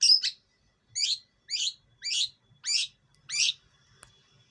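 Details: Lure calls of a hand-raised East Javan long-tailed shrike: a double rasp, then five harsh descending notes roughly every half second, followed by a faint click and thin whine.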